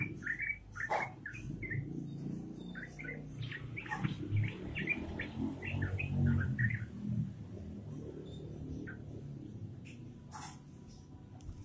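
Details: Yellow-vented bulbul singing in a fast, lively ropelan style: clusters of short whistled notes tumble out in the first half, then thin out to scattered clicks, all over a heavy low-pitched background rumble.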